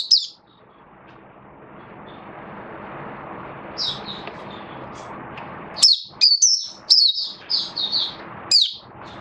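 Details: Oriental white-eye, a caged hobby bird, in buka sing song display: after a long stretch of steady background hiss, a cluster of high, downslurred chirps bursts out, followed by a final lone note.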